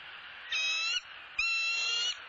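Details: At a Southwest Florida nest watched by a live camera, where the male has delivered a soft-shelled turtle to his mate, a bald eagle gives two high, harmonic whistled notes, each about half a second, separated by a short pause.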